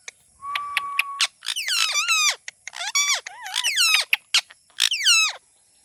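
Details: Talking parrot: a short steady whistled tone, then a run of loud, nasal, harmonic-rich squawky phrases with rising and falling inflections, like attempted words, in separate bursts of about half a second over nearly six seconds.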